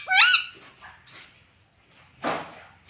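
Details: Talking parrot, a tota that says mummy and papa: one loud, high, harmonic squawk-like utterance bending up and down in under half a second, then quiet, then a short burst of broadband noise.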